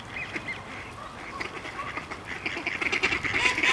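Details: Ducks fighting on ice give rough, nasal quacks, scattered at first and then bunching into a louder, busier run of calls toward the end over a noisy background.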